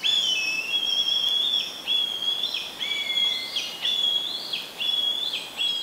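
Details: Black kite in Córdoba uttering a run of wavering, whinnying whistles, repeated roughly once a second, with quick up-and-down flicks between notes. Steady broadband background noise.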